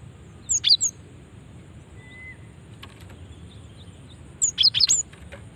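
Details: Female cinereous tit call intended to draw other cinereous tits. Two bursts of high, tinkling chirps about four seconds apart, with a faint whistle between them.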